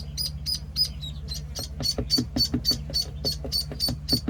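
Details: Penciled call ducklings, one week old, peeping steadily: high, thin peeps repeated about three to four times a second, some sharper and louder than others, over a constant low mechanical hum.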